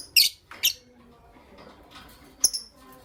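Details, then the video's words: Creamino and Lutino Opaline lovebirds kept as pets, heard in the morning: two loud, rasping high chirps close together, a quiet pause, then a single thin, clear chirp. "Lovebird Chirping Sounds"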